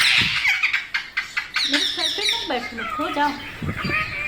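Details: Parrot opens with harsh squawks, then shifts to lower, wavering, speech-like chatter with rising and falling notes.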